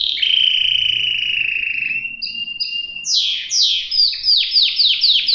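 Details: Singing canary with long steady whistles, short two-tone phrases, then a rapid cascade of downward-sweeping notes.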